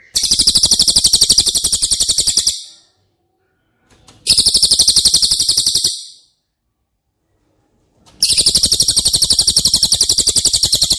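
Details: Cililin trilling, recorded as masteran for caged White-rumped Shama: three long bursts of a loud, high-pitched, machine-like run of fast, even notes, split by about one and a half seconds of silence.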